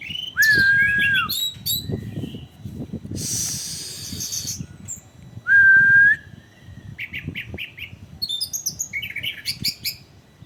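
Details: Orange-headed thrush song used as a training lure: two long flat whistled notes several seconds apart, between harsh buzzy bursts and rapid high twittering phrases, over low background rumble.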